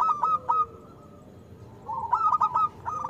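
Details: Loud local zebra dove song, meant to prompt lazy or moulting doves to sing. Two quick bursts of clipped, bubbling coo notes are split by a short pause, with a softer low coo trailing behind.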